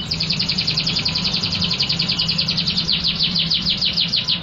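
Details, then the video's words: Loud, active canary song: a steady, fast trill of high, buzzy repeated notes pulsing several times a second without a break, over a faint low background hum. "burung kenari gacor keras"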